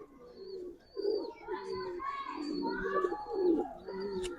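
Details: Several deep, bubbling coos from Giribaz pigeons come in uneven bursts about a second apart, with a human voice in the background.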